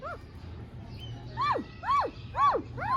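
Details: Short arched, nasal syllables from a talking ringneck parrot, repeated about every half second at a steady beat, each swooping up and then falling sharply.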